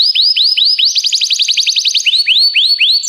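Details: Canary song used to train canaries: clear rising whistled notes in slow series, a quick burst of rapid repeated notes in the middle, then more slow rising whistles.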